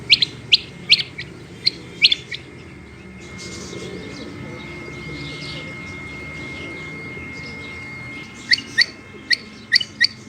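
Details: Female rain quail giving quick, high, clipped notes in a run at the start, then a stretch of only low rumbling noise, before another burst of paired chirps near the end.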